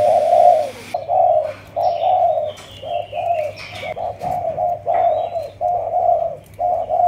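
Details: Captive two-month-old spotted dove of Malaysian type, bred in captivity, in the 'chiêu di chuyển' cooing style: a rhythmic series of about ten low, hollow coos with short gaps, plus a faint thin whistle.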